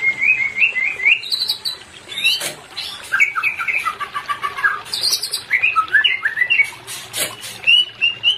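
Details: White-rumped shama song used as therapy for a pair not in breeding condition: repeated rising whistles, higher ringing notes, then quick slurred and warbled phrases, with sharp clicks between them.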